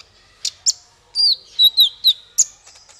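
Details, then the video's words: Male kolibri ninja singing: a few sharp ticks, then a string of piercing, downward-bending whistled notes about every quarter second, clean and bright with a quiet background. "Suara konin untuk masteran burung"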